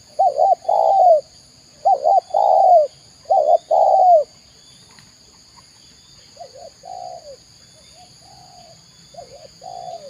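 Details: Spotted dove from Indonesia giving repeated cooing phrases: three loud groups of quick double coos each ending in a longer falling coo, about every one and a half seconds, followed by quieter, more distant answering coos.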